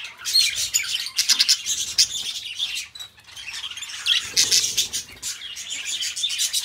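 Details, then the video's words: Pet budgies singing in a busy, scratchy chatter of rapid high clicks, buzzes and squeaky notes. The chatter runs without a break, with a brief quieter dip near the middle. "beautiful budgies birds sounds"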